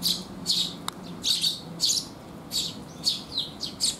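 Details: Sparrows gathering for food at a rain shelter, June 2021: irregular high chirps and double chirps, about nine in four seconds, one brief click, over a steady low hum.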